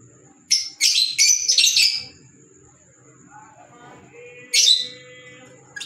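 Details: Fischer's lovebird (Agapornis fischeri), call.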